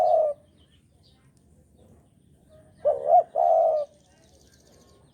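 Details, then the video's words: Javan spotted dove lure for trapping: the tail of one coo, a pause, then one full phrase, a rising hooked note followed by a steady mellow coo, another phrase starting at the close. "Pancingan Derkuku Jawa"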